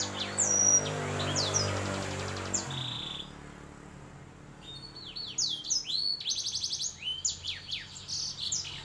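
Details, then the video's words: Canary × black-throated canary hybrid delivering high sweeping whistles and a rattle, pausing amid low rumbling noise, then resuming with rapid slurred notes and buzzy trills. "hasil silangan kenari dan blackthroat"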